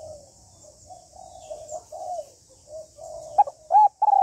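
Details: Female spotted dove calling to stimulate a male: soft murmured cooing gives way to three loud, arched, hollow coo notes near the end.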